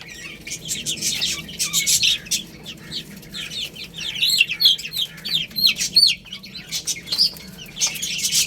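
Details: Chicks eating rice: dense chorus of shrill, downward-sliding peeps from many birds at once, rising into louder bursts after the midpoint, mixed with quick tapping and pecking clicks.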